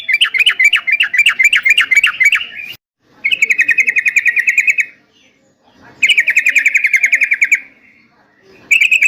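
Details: Yellow-vented bulbul used for training caged birds to respond, giving rapid chattering bursts of repeated notes, about three per second, in bouts of two seconds separated by short pauses.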